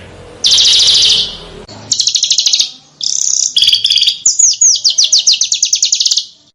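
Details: Small songbird, cage bird master recording for training contest birds to copy other birds' songs: loud high trilled bursts, then rapid chattering phrases and a long series of quick descending whistled notes.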